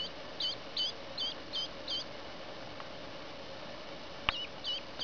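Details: Two three-day-old female ducklings, one Blue Swedish and one Buff Orpington, newly arrived by post from a California hatchery; soft high peeps in short bursts about every half second, a pause, then a click and more peeps over a low steady hum.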